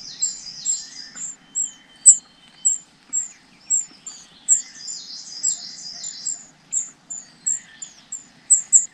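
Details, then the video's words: High-pitched begging chirps from nestlings awaiting food from their parents, short thin notes repeated rhythmically about twice a second, with softer overlapping twitters between them. "Những Chú Chim Non Ngóng Chờ Bố Mẹ Mang Thức Ăn Về"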